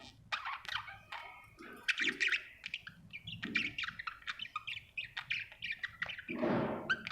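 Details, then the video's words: Happy budgerigar chirping busily: rapid sharp chirps, clicks and scratchy warbles over a steady low background hum, with a burst of broadband noise near the end. "Happy budgie chirping sound"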